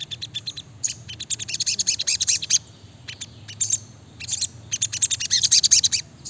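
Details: Sogok ontong (brown-throated sunbird) singing chattily in tight rapid bursts: two long runs of shrill, high, twittering chirps and arched whistled notes, separated by a brief lull.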